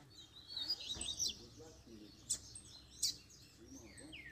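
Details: Seedeater (double-collared) calling and singing after the moult to fire up rivals: a busy high twittering warble, several sharp clicks, and a quick rising note at the close.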